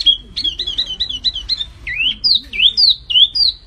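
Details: Flamboyan bird singing energetically, a 'gacor' bird used for training recordings: a run of clear whistled notes wavering around a steady high pitch, then looping, swooping whistles that dip and rise, repeated roughly every half second.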